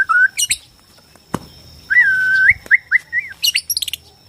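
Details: Borneo white-rumped shama song meant to provoke other shamas into singing and fighting: a sustained rolling whistle with wavering pitch, sharp clicks, then clustered high chirps at the end.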